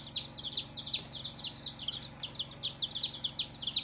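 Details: First-day baby chicks giving a rapid run of shrill, falling peeps, several birds overlapping in quick succession with barely a gap, over a low steady hum.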